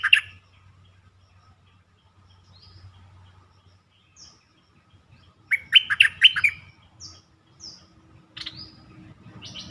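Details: Lure song of a bulbul, played to rouse other birds: a short chirp, then a loud rich warbled phrase of slurred rising and falling notes, and a few thin high whistles after it.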